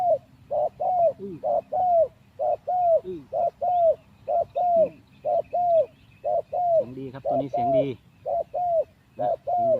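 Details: Spotted dove kept as a decoy for trapping, three days out of the mixing cage, cooing steadily: a long run of hollow, even coo notes at about one per second, with a lower, wavering call joining partway through.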